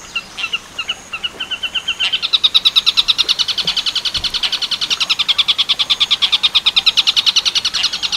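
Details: Long-tailed shrike in the Tengkek Buto Werkudoro song style, a training recording for teaching other birds, clear and forceful: a few spaced sharp notes, then a fast, steady run of harsh buzzy chattering notes that grows louder.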